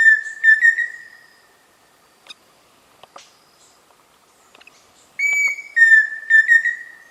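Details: Pheasant cuckoo (peixe-frito) calling: a clear whistled phrase of a slightly higher note dropping to a level note that ends in quick pulsed flourishes, heard at the start and again after about five seconds of near silence.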